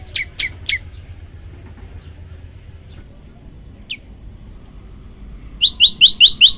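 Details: Prenjak lumut prinia, a tutor song: three sharp descending chirps open the recording, then scattered faint notes, before a closing run of six quick upslurred high chips.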